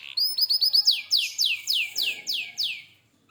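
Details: Canary in full song, a quick stutter of short notes leading into a series of loud downward-curving swept notes, about four per second, fading out at the end.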